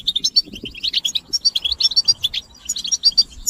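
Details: European goldfinch chorus of mating calls for stimulating males: bright, liquid chirps and twitters repeat in quick, uneven bursts, close to one per second, over a quiet background.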